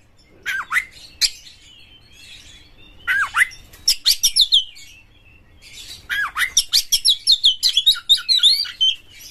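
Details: Aggressive Oriental magpie-robin singing to spur other kept magpie-robins into full song. Varied bursts of harsh, scratchy notes alternate with clear whistles, and a long run of rapid, ringing chirps follows.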